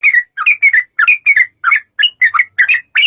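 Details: Sooty-headed bulbul in long rapid 'ropel' song, used as a lure to make other bulbuls sing: bubbly, slurred two-part notes in quick bursts, about three per second, with short gaps between.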